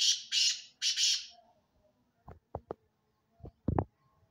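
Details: Black francolin giving two loud, harsh, grating call bursts, followed by a few sharp knocks and clicks in an otherwise quiet setting.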